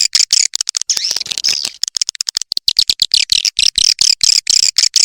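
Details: Swiftlet lure sound of the 'Triple X Vietnam' style for calling swiftlets: a fast, continuous stream of high, shrill twittering chirps and dry clicks, densely packed and unbroken.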